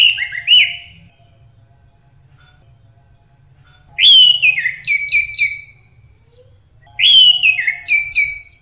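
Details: A captive orange-headed thrush (Geokichla citrina) sings rich, varied phrases of whistles and trills, each burst lasting about a second or two and repeated every few seconds, with a faint low hum beneath.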